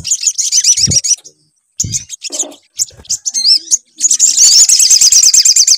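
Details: Sunbird lure song to coax a bird into singing. Short high twittering bursts and looping whistles alternate with gaps and soft low knocks, then a sustained fast, buzzy trill.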